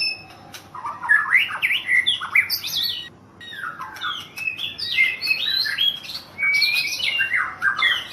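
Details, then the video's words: White-rumped shama, a national champion bird in Thailand, singing a rich, varied run of whistled phrases that rise and fall, with quick slurred notes and a brief pause near three seconds. "Murai Juara nasional di thailand"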